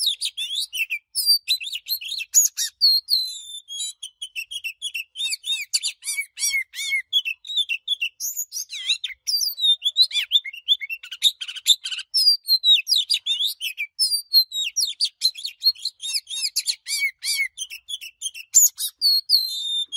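An Oriental magpie-robin sings a rich, varied stream of high whistles, trills and chirps.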